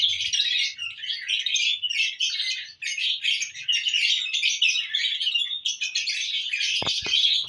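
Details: Lovebirds in happy mood, June 1, 2022: unbroken shrill, buzzy chattering with overlapping squeaks throughout, and a couple of sharp clicks near the end.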